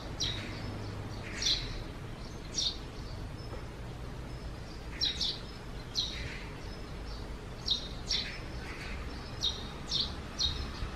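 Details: Eurasian tree sparrow coming out of its nest under the eaves on a cloudy June morning in 2020; short high chirps sound in scattered bursts about every one to two seconds over a steady low background hum.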